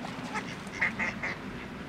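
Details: Mallards mating noisily on a river in Japan in June: a short run of harsh nasal quacks, several in quick succession, over the constant roar of flowing water.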